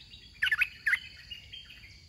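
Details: Red-whiskered bulbul at a decoy trapping contest gives two quick bursts of warbled, chirping notes about half a second apart, followed by fainter softer notes. A steady insect drone continues underneath.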